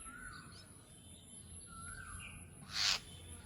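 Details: Jungle myna, with faint descending whistles early on, then one sudden loud, grating squawk near the end over low background hiss.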